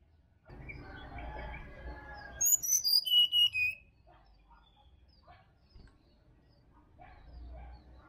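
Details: Wild sirdadu from Bali singing in forest, meant to stimulate caged birds in the morning; a burst of mixed lower chirps gives way to a fast descending run of piercing whistles.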